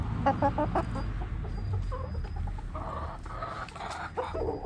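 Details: Backyard hens: quick bright clucks in a rapid series at the start, then drawn-out nasal cackling notes, with steady low background rumble throughout.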